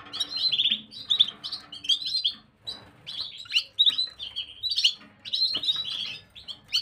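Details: Gloster canary singing on 9 January 2023, a nearly continuous run of quick, bright twittering notes and trilled phrases that rise and fall in loudness, with a faint low hum beneath.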